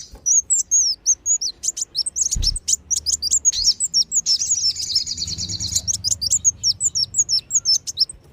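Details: Continuous sunbird lure call, wulung and sogon types, meant to draw wild birds in: a steady stream of high, sharp chirps and hooked whistles, with a brief dense trill midway and a low thump.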